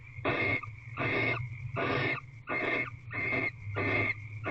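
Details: Female barn owl lying on the floor of a nest box, recorded on 28 February 2023 at 5:57 pm. She gives harsh, breathy rasping hisses, about one every second, over a steady low hum.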